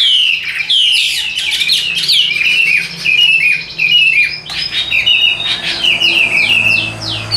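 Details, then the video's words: A Chinese hwamei, tame and caged in Vietnam and singing while carried, pours out loud, varied whistles, with rising and falling slurs and rapid repeated syllables in an even, continuous flow. "Chim Thuần 90%, Nhẹ Nhàng Sách Tay Hót, Đầu Mặt Cực Đẹp. Đấu Xòe Đuôi. Giọng Hay Ra Giọng Rất Đều"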